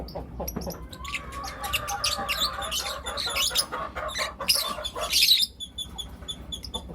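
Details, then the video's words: Lutino lovebirds, four young birds, in the morning: bursts of harsh, broadband chirps and squawks in quick series, with a faint steady tone running underneath and brief pauses between calls. "Lutino LoveBird Chirping Sounds - four Cute LoveBird Kids"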